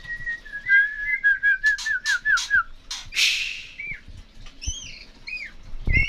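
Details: Songbird singing actively: a run of clear whistled notes slurring down in pitch, a rapid series of sharp buzzy strokes, then higher paired whistles with upturned ends; quiet background.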